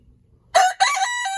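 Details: Rooster crowing in the morning: after a brief quiet start, a loud, rich crow with a short rough opening note, a small break, then a long sustained, slightly wavering tone.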